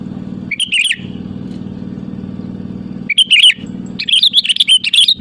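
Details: Sooty-headed bulbul calling rivals, played as a lure: short, liquid warbled phrases in bursts, the last one longer and busier, over a continuous low droning hum.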